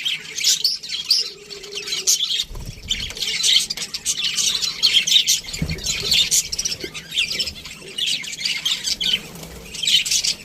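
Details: Budgerigar parrots in an aviary chatter on and on, with rapid high chirps, squeaks and warbled phrases from many birds, plus a couple of faint low thuds.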